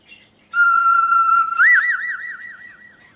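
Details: Single-take recording of a pet cockatiel giving a loud pure whistle, held level for about a second, then jumping up into a fast undulating warble that slowly fades.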